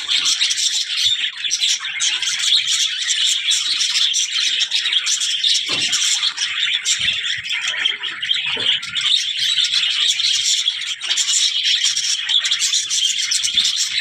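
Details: Budgerigars, presented as talking, keep up a long, dense chorus of high warbling, twittering and scratchy chirps, with occasional sharper squeaks standing out and faint low knocks.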